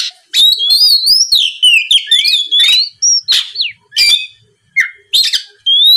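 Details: Oriental magpie-robin lure song aimed at making rivals answer: fluid whistled phrases rising and dipping, then spaced harsh buzzes and short falling notes.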